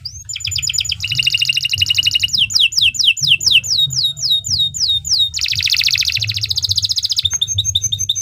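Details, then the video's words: Long, loud canary song used to train other birds, running through fast rattling trills, bursts of downslurred whistled notes and a dense buzzy passage before a crisp repeated trill, with a steady low hum underneath. "Kicau Burung Kenari II GACOR PANJANG Cocok untuk Masteran"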